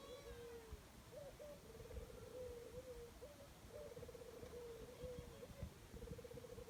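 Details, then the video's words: Jungle dove cooing almost without pause: low, vibrating purred phrases broken by brief higher rising notes, repeated in a steady rhythm against a soft hissing background. "Dove birds sound jungle"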